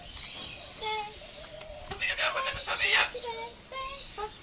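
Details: Talking corella at Silverton, New South Wales, on 25 June 2010, giving speech-like mimicked phrases: harmonic, voice-like syllables with rasping, screechy bursts in the middle and short tonal notes near the end.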